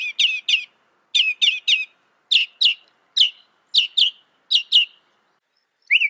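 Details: Northern mockingbird singing loud, fast song: a slurred, chirping phrase given in pairs or triplets, repeated over and over with short pauses, ending on one lower whistled note.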